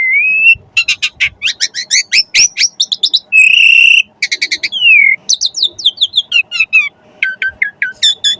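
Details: Javan pied starling song used as training material for songbirds: a held whistle, rapid stuttering chatter, a buzzy harsh note and falling slurs, ending in short clipped whistles.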